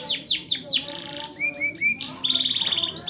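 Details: Canary in lively song for tutoring young birds: a few loud downslurred whistles, then short rising upslurs, followed by a buzzy sustained rattle of very rapid repeated notes.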